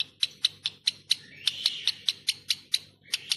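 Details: Captive boat-billed heron chicks at Prague Zoo, Czech Republic, one hatched that day and one four days old, during a routine keeper check: a rapid series of short, sharp, high clicking chirps, about thirteen in three seconds, slightly irregular.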